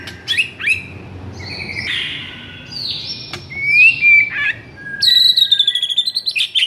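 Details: White-rumped shama in agitated song, used to rouse silent shamas: sharp whistles, a smooth falling-then-rising pure whistle, then a high rapid trilled series at the end.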